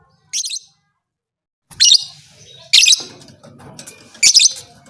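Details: Lovebird uttering short, harsh, high chattering bursts, four in under five seconds with uneven gaps, a call said to make other lovebirds fighters; faint low background hum.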